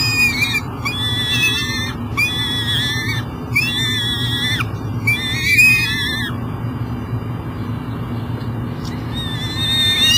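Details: Peregrine falcon at a nest box at an energy recovery station in Elk River, Minnesota, beside the Mississippi River, carrying breakfast at 7 am: loud wavering, harmonic wailing cries in repeated bursts over a constant low mechanical rumble.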